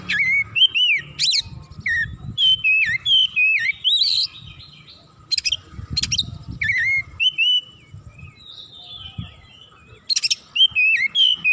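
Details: Oriental magpie-robin, agitated and emotional, unloading its full repertoire: varied whistled phrases sliding up and down, interspersed with sharp buzzy bursts, delivered in rapid irregular runs with short pauses; faint low rumbling underneath.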